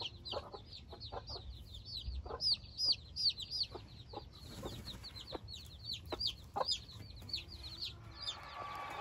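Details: Newborn Silkie chicks out for the first time among four hens and twenty-four chicks give a dense, continuous chorus of high arched peeps. Low clucks and soft knocks sound beneath it.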